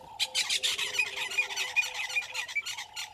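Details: At a waterhole on Djuma Game Reserve in South Africa's Sabi Sand Wildtuin, an Egyptian goose family on 25 December 2021, 09:18: continuous loud, grating squawks, about four a second, with a low whistled note beneath.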